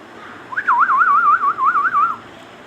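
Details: Talking Indian ringneck parakeet producing one sustained, rapidly wavering whistle that rises sharply, warbles evenly for about one and a half seconds, then fades; the room behind it is quiet apart from a faint hiss.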